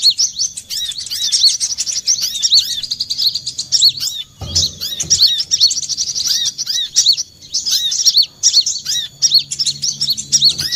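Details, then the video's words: Olive-backed sunbird trapping lure, long runs of high, rapid, tinkling chirps and arched notes with a short break and a soft low bump near the middle. "suara pikat mp3 burung kolibri kelapa"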